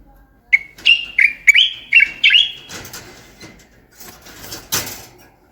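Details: Moroccan bulbul heard as a tutor for other birds: a bright phrase of six whistled notes with up-and-down slides, followed by rustling and a short sharp burst of noise.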